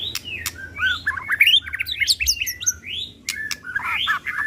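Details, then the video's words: White-rumped shama song used as a lure to rouse other shamas: varied whistled and chattering phrases with rising sweeps and sharp clicks, over a steady low hum. "Suara Asli Tanpa Repeat! Pancingan Murai Pastol Emosi & Bongkar Isian"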